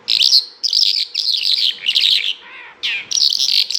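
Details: Continuous, loud bimaculated lark song: tumbling phrases of scratchy, buzzing trills and warbles with brief breaks, one lower rasping note and a down-slurred call midway.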